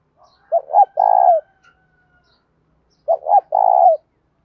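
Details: Captive spotted dove singing 'bài bản bổi' style coos, 'giọng thổ' voice, played to encourage doves to coo. Two phrases about 2.5 seconds apart: stuttered short notes, then a sustained burry coo that drops at the end.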